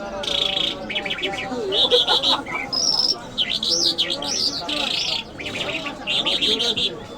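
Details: Iranian jal lark in Mashhadi mast style delivering varied phrases of fast rattling trills, looping whistles and sharp chirps, while people talk quietly nearby.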